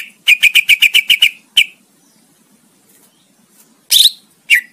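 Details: Greater green leafbird, recorded for training competition songbirds: a fast stuttering series of eight sharp repeated whistles, then a single note, silence, and two harsher bursts.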